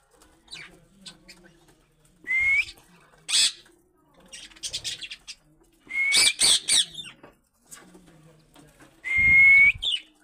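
Budgerigar chattering with short rising whistles broken by harsh, scratchy bursts.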